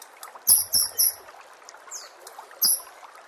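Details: White-rumped shama training recording: short, bright, high whistled phrases, three in quick succession and then one more, over a soft watery background hiss.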